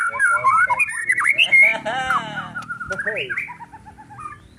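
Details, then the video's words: Agitated white-rumped shama singing: rich whistled phrases with rising and falling slurs, a loud opening burst fading into softer warbles and a descending series of notes, with low background noise. "MURAI BATU EMOSI"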